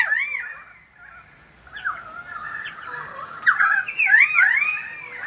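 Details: In the rain in Sydney, a pied currawong sings loud, swooping whistles that rise and fall in ringing glides, run together into a rich, wailing phrase over a soft hiss of rain.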